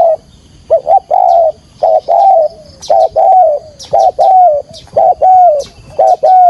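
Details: Spotted dove call used for trapping, Vietnam: rapid run of loud coos about once a second, short hoot then longer level note, in regular series, with faint clicks and knocks behind.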